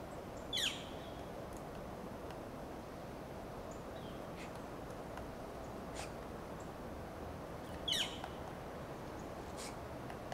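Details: Northern flicker foraging in Del Monte Forest, California, with another flicker close by; two short, sharp, slightly downslurred calls about seven seconds apart, plus faint ticks, over steady broadband background hiss.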